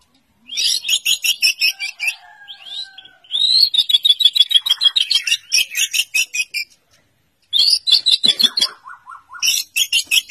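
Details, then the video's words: White-rumped shama song in bursts of fast, repeated high, scratchy pulses about three seconds long, separated by short pauses and a few soft, low, drawn-out whistles. "Murai batu SUPER berkicau"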